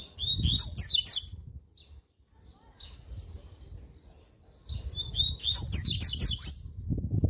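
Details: Coleiro (double-collared seedeater) repeating its strong, fast 'tui tui' warm-up song: two bursts of high, rapid, slurred whistled notes about five seconds apart, separated by quieter stretches, with a steady low rumble underneath.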